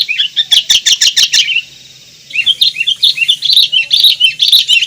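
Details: Kutilang or sooty-headed bulbul from Indonesia with a lively burst of high chirping notes, a brief pause, then a long run of quick, bubbly slurred whistles that rise and fall.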